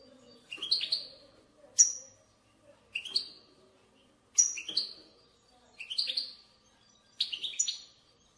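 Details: A steady run of European goldfinch bitbita phrases, used to prompt goldfinches to sing. Bright twitters repeat about every second, mixing sliding notes with thin high pips, over a faint low murmur.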